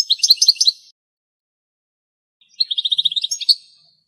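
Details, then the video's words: Wild European goldfinch singing in Greek countryside, where a female fed from a spider web. Two bursts of fast, tinkling high twitter, each about a second long, are separated by a pause of nearly two seconds. "European goldfinch song"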